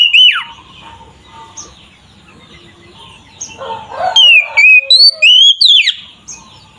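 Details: Oriental magpie-robin (kacer) song used as a lure to provoke other magpie-robins: a loud whistled phrase near 0.2 s, then quiet background until a burst of sliding whistled notes and sharp chirps from about 4 to 6 s.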